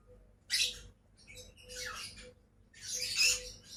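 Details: Pet lovebirds, a pair, give shrill, noisy screeches in three separate bursts, the last one longest, over a quiet low electrical hum.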